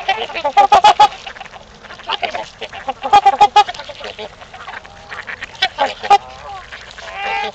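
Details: Several trumpeter swans honking at Gallup Park in Ann Arbor, Michigan, in mating season: three short clusters of resonant, trumpet-like honks about two and a half seconds apart, with softer murmured calls in between.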